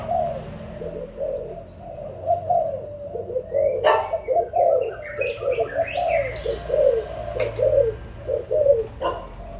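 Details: Long run of overlapping low coos from adult spotted doves of Malaysian and Thai origin, 16 March 2022. Occasional sharp clicks and high bird chirps are also heard.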